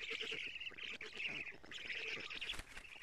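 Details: Black stork young at the nest in Estonia, 14 June 2017, 07:47, as their mother delivers lampreys; steady raspy, squealing chorus with fast rhythmic pulses and brief dips, picked up by a live nest camera.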